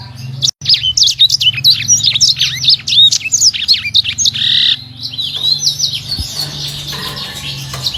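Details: A small imported Sanger finch sings a fast, tightly packed string of high, sharp whistled notes with a brief buzzy trill midway, over a low steady hum.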